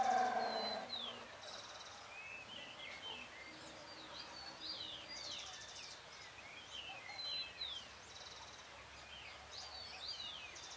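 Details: Great thrush singing on a full moon night, 13 June 2022, about 6:26 PM: quiet, steady stream of short slurred whistled notes, many falling or rising, mixed with brief buzzy trills, over a soft background hiss.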